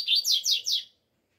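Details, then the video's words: Double-collared seedeater singing in cold weather: four quick, high, buzzy downslurred notes in under a second, each sweeping down, then silence. "COLEIRO ALEGRIA 🇧🇷 frio ainda ainda..."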